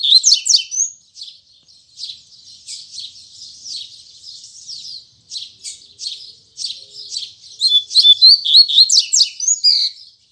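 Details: Double-collared seedeater (coleiro) singing in the morning in the Tui Tui Zel Zel song style: soft, high twittering warble for most of the span, swelling into loud, sharp, rapid whistled notes near the end.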